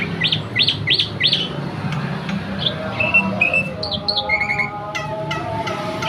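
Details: Right after bathing, a Javan white starling sings eagerly: four fast upswept whistles, then scattered chirps and short level whistles of varied pitch, over a constant low droning background.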